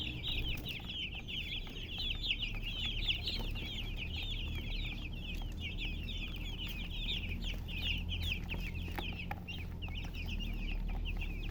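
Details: Many chickens peep together in a constant, overlapping chatter of thin, high chirps, with a low background drone throughout.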